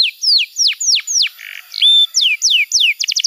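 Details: Canary masteran song: a series of loud downslurred whistles, a soft buzzy note, a pure level whistle, more falling whistles and a quick burst of clipped notes at the close.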